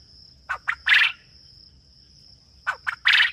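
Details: Farm quail calling twice: each phrase is two short clipped notes followed by a longer, harsher, buzzy note, with the phrases about two seconds apart. A steady high insect-like whine runs throughout.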